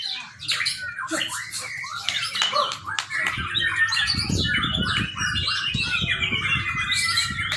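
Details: Young white-rumped shama, recorded as a training lure, delivering a busy jumble of chattering and whistled phrases interrupted by sharp clicks and bursts of fluttering or rattling noise.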